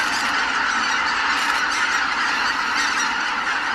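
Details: Greater white-fronted geese leaving their roost: a dense, unbroken wall of overlapping high goose calls from a large flock, with no single voice standing out, steady throughout.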